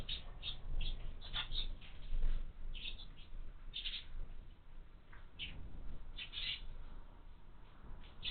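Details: House sparrow chicks at a feeder fixed to a window chirp steadily, with short high notes repeated throughout and denser clusters near the middle and end.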